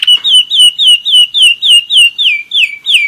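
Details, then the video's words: German Roller-split canary, one year old, kept as a pet, singing: a steady run of slurred whistled notes falling from high to lower pitch, repeated about three or four times a second with clear harmonics. "german roller-split canary"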